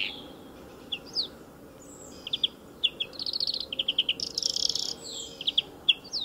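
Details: Greenfinch song recorded at the edge of a motor circuit: scattered chirps lead into fast buzzy trills and a harsh, nasal wheeze, followed by more twittering notes against a quiet low drone.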